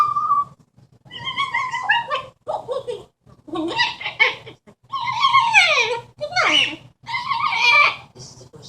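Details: Pet Amazon parrot on its perch at nap time, chattering indoors: a series of harsh, buzzy speech-like phrases and swooping falling notes, like garbled talking.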